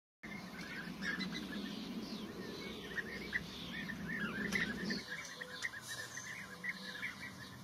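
Blue-tailed bee-eaters give a busy stream of short, rolling chirps at mid-high pitch, several birds calling at once over a low background rumble.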